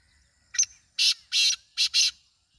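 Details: Loud black francolin (kala teetar) call: a quick clipped note leading into two drawn-out harsh rasps and a closely spaced pair of grating notes; faint bird calls in the background.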